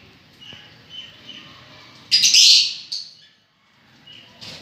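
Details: Quiet lovebird twitters followed by one long loud shrieking call, then a brief fainter squeak.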